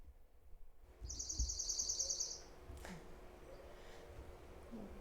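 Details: Dark-eyed Junco song, a fast even trill of about fifteen high, dry notes over just over a second, over a low hum; this trill is sung mostly by males but also by females.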